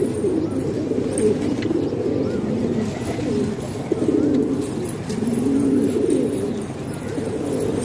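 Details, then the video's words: Pakistani hobby pigeons kept indoors, a dense murmur of low coos with longer swelling phrases rising and falling every second or two. "Pigeon Sound"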